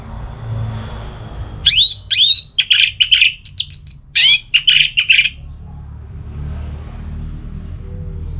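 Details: Orange-headed thrush singing ngeplong-style song, used to spur another bird into singing: a dense burst of about three seconds of sharp rising whistles followed by rapid buzzy, clipped high notes, with quiet low hum before and after.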